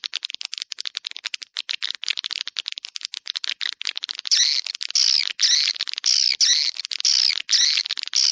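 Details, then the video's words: Swiftlet attraction call, 'Dua Bidadari' style: rapid high ticking chirps that give way to louder, repeated squeaky twitter phrases, each about half a second long. "SUARA PANGGIL WALET DUA BIDADARI RESPON TERBAIK DI AREA CENTRAL WALET"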